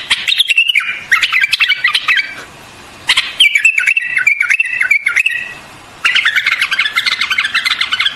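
A white-eared bulbul sings three lively bursts of bubbly, chattering phrases, each about two seconds long and separated by short pauses, in a mid-high register.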